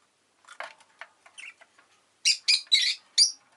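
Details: Rosy-faced lovebird chattering softly at first, then bursting into a rapid run of four loud, harsh, squawky chirps in quick succession.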